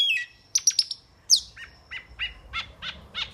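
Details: Metallic starling: a quick series of high, sharp chirps and metallic squeaks, then descending buzzy notes repeated at irregular intervals, with faint low background rumble.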